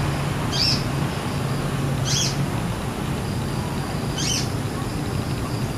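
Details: Wild male Brown-throated sunbird foraging at jambu tree blossoms for nectar, giving short bursts of song: three quick, thin, high-pitched chirps roughly every one and a half seconds against constant low droning noise.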